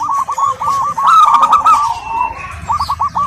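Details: Local zebra dove female calling a male: rapid runs of short, clipped cooing notes at a mid pitch, with a denser overlapping burst in the middle and a quick staccato series closing the phrase.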